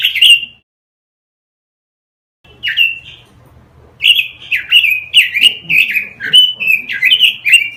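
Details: Masteran recording of robin song for teaching caged birds: one warbled phrase, a long pause, a brief whistle, then a lively stream of sliding whistled notes, each roughly half a second apart.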